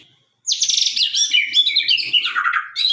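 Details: Sabang-type white-rumped shama singing loudly and sharply: a continuous torrent of high, buzzy, rapidly modulated whistles with chattering notes, dropping lower near the end.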